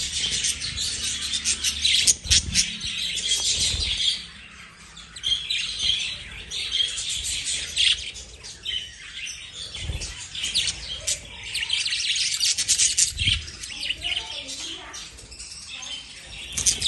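Lovebirds chatter with dense, high, shrill chirps and squeaky twitters that overlap almost without pause.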